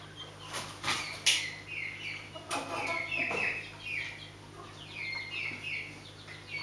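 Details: Scaled quail, several short soft chirps and brief chattering notes at irregular intervals, mixed with sharp clicks and fluttering bursts like wingbeats or scratching, over a steady low hum.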